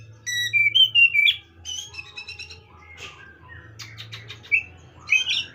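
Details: Oriental magpie-robin song: clear whistled notes, some sliding, mixed with short buzzy bursts and scattered higher notes, separated by gaps, over a steady low electrical hum.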